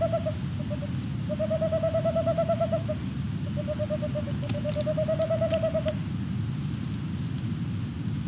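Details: Boreal Owls, a male and a female calling near their nest, give rapid trills of hollow, even hoots, two long runs of about a second and a half each, over low rumbling background noise and faint high chirps.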